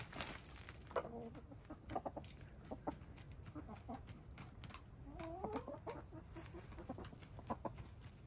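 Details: Gray, lavender, blue and black hens taking a dust bath; scattered soft clucks and a brief wavering, rising-falling murmured call among steady scratching and ruffling of dirt.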